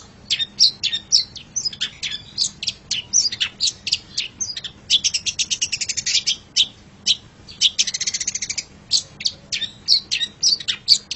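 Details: Long-tailed shrike master song for teaching caged songbirds: a dense, rapid chatter of sharp, high notes, clicks and short whistles with almost no pause. Fast stuttering runs alternate with a scratchy, noisy phrase midway.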